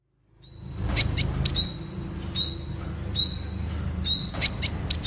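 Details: High-pitched song of a Temminck's sunbird: drawn-out thin whistles with rising starts, interrupted by crisp ticking notes, separated by brief pauses against a quiet low hum.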